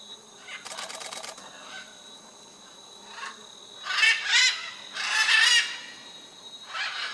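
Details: Wild macaws, including blue-and-yellow, red-and-green and scarlet, at the Chuncho clay lick in Tambopata National Reserve, Peru; rapid rattling notes, then loud harsh screeching squawks in bursts, several birds calling together.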